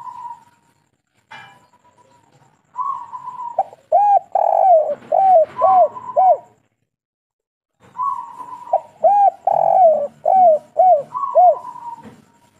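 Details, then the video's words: Local spotted dove (derkuku) singing kuk 3 phrases twice, each starting with a drawn coo, swelling into five or so short looping notes and closing on a level note, with silent spaces between phrases. "Derkuku kuk3 lokal gacor ngamuk super sangar"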